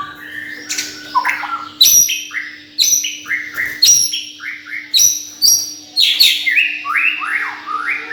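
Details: Songbird kept in a cage, delivering bright chirped phrases in quick bursts, repeated roughly every second, with rising and falling whistles and clicks over a constant low hum.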